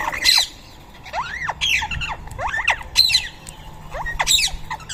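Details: Rose-ringed parakeets feeding in Coimbatore give harsh, grating screeches mixed with rising squeaky notes, bursts coming roughly every second, over a faint low background hum.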